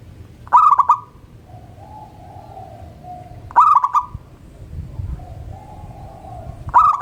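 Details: Local zebra dove singing actively from a perch in the morning. Short staccato bursts of harmonic notes recur about every three seconds, each followed by a softer, lower drawn-out coo, over a low background rumble.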